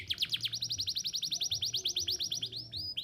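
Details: Singing canary used to teach young canaries their song: a very fast run of short clipped notes repeated evenly, ending in a few drawn-out sweeping whistles.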